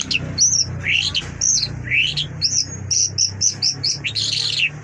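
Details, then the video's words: ['Mashhadi lark singing: a rapid run of high whistled, slurred notes, some rising and some falling, with quick chirps and a buzzy burst near the end. A low hum sits underneath.'] "Mashhadi lark singing مشہدی جل"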